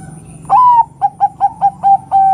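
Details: Female zebra dove of the Bangkok perkutut type calling to prompt males to sing: a rising cooing note, then five short, even coos, closing with a long level coo, all mellow and clear over a faint background hum.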